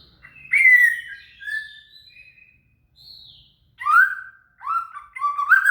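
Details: Shama song used to tutor a cililin: varied phrases with a falling whistle, a thin high note, then a series of rising slurred whistles at the end, with a faint low hum underneath.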